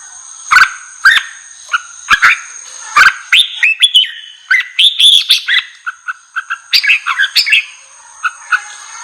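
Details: Red-whiskered bulbul song played to provoke and excite wild bulbuls: bursts of bright chirping, warbled whistled notes in quick uneven phrases, with sharp clicks and a faint steady high whine underneath.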